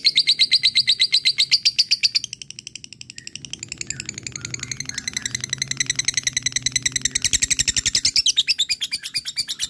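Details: Fighter lovebird giving long ngekek chatter to call an opponent: continuous rapid, high, buzzy pulses for nearly ten seconds, briefly softer near two to four seconds.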